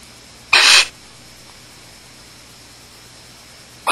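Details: At a Starr Ranch barn owl nest holding chicks, on a June 2010 night after mating: one rasping, hissing screech of about a third of a second, then quiet hum, with another screech starting at the end.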